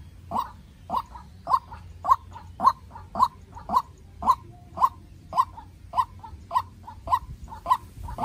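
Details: Farm-raised young White-breasted waterhen used as a decoy, calling against a wild bird in a fierce duel. Crisp, evenly spaced notes sound almost twice a second, some with a softer echo note between.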